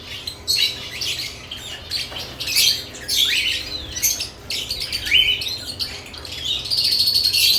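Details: Lovebirds active at nest boxes mix clear rising whistled squeaks with harsh, broken chirps, calls coming in irregular clusters with short pauses.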